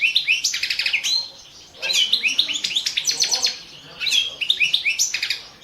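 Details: European goldfinch of subspecies balcanica singing in the 2017 World Championship in Goldfinch Song: three phrases of fast, liquid twittering and rolling trills, each lasting over a second, divided by short pauses.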